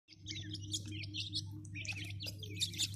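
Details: Grey francolin chicks giving a busy chorus of high, thin chirps and squeaky twitters, overlapping and continuous, above a steady low mechanical hum.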